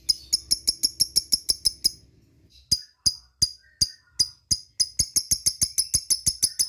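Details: Lovebird calling to companions with ngetik-style chirps: sharp high ticks in a quick series, a pause near two seconds, then spaced chirps that speed back into a rapid run.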